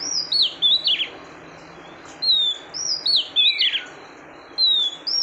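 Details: Female oriental magpie-robin calling to stimulate the male, giving bursts of sharp, high whistled notes, some rising, some falling, grouped into short phrases separated by brief pauses.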